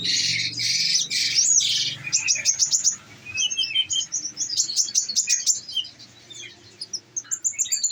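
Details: Captive olive-backed sunbird kept on nectar, singing the rapid-fire 'nembak' style: dense bursts of very high sharp ticking notes in fast volleys, broken by short pauses and brief whistled slurs.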